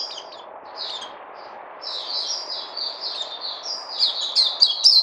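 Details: Caged bird starts with scattered soft high notes, then a connected run of warbling chirps that grows louder and sharper toward the end, against a low hum.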